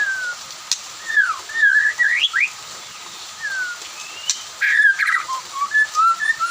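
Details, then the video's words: Afternoon song of a white-rumped shama, others responding; scattered whistled swoops and upslurs with gaps between, then a brighter burst of quick notes near the end. "kicau murai batu sore hari bikin yang lain ikut nyaut"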